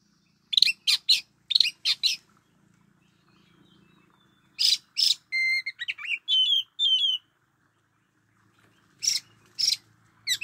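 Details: Oriental magpie-robin kept as a decoy bird: harsh rasping notes, then a clear phrase of level and wavering whistles, followed by more scratchy bursts against a soft low background drone.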